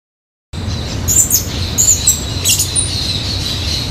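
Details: Yellow-legged thrush at Instituto Butantan, São Paulo, Brazil, January 2012, gives a few thin, very high squeaky notes about half a second apart, over a steady insect hum and distant traffic rumble.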